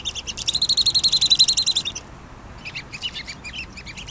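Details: Pygmy nuthatch delivering a fast, even series of bright high piping notes for about two seconds, then after a pause a looser scatter of squeaky twitters.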